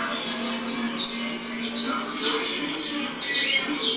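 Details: Saffron finch (canário-da-terra) singing: a quick run of high, sharp downslurred chirps, about two or three each second, overlapped by chirps from other birds, with a low steady hum underneath.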